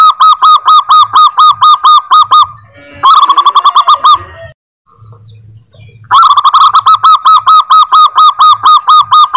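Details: Local zebra dove, a lively singing bird, repeats mellow, clipped cooing notes about twice a second; a faster burst in the middle, then a brief pause before the steady series resumes.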